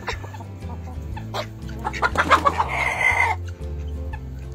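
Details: Chicken on a farm clucking in a short burst of rapid, sharp notes midway, with a steady musical backing track throughout.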